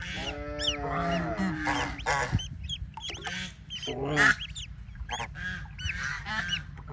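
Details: Playing in water, young ducks let out steady low drawn-out calls at first, then scattered high, curved peeps with bursts of rough, broad noise.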